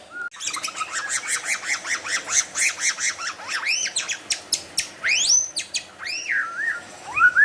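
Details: White-rumped shama singing vigorously with imitations of wild animal sounds: a fast series of loud, arched whistled notes repeated about three times a second, then sweeping upslurred whistles and sharp calls.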